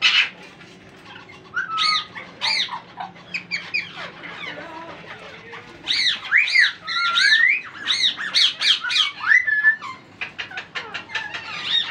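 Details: Hungry parrot chicks beg while being fed, with rapid, harsh, rasping squawks that arch up and down in pitch, coming in quick bursts with brief pauses between.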